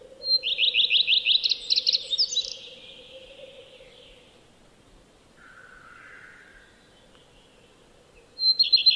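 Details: Common redstart song phrase: high thin whistle, then a string of quick repeated descending notes and a jumbled twittering finish. A lower buzzy note sounds midway through the pause, and the next phrase starts near the end.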